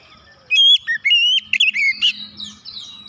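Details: Oriental magpie-robin singing to provoke other birds into song; a clear pure whistle opens, then varied sliding whistled phrases and a rising-falling warble, ending in softer thin notes.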